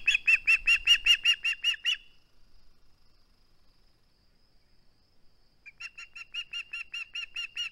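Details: Male osprey guarding a flounder at the nest, 21 August 2020 live camera: a fast regular run of shrill whistled chirps, a pause of near silence, then a second evenly paced series of slightly softer chirps.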